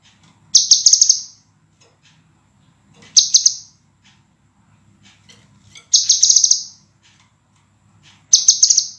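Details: Training master of scarlet minivet song, clear, tight and sharp: four loud high-pitched bursts of fast rattling notes, each under a second, coming every two to three seconds against a faint low hum.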